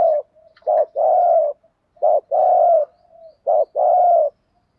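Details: Decoy spotted dove giving rhythmic 'thúc gù' coos to lure wild birds: three evenly spaced sets, each a short low coo followed by a longer steady one, about every second and a half.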